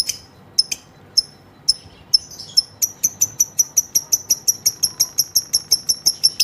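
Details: Female lovebird starting its long ngekek chatter. A few isolated piercing chips are followed by an accelerating, regular series of short, high, ticking notes.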